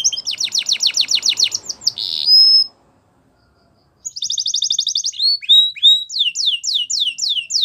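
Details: Belgian canary song with a fast trill and a high whistle, over faint background noise, then over a second of silence before the bird resumes with a rapid trill and falling whistled notes.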